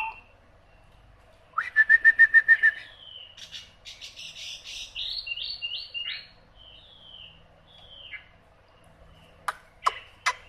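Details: Hwamei: a rapid trill of even, repeated notes, then a tumbling sequence of varied whistled and chattering phrases, followed by quiet and a couple of sharp clicks.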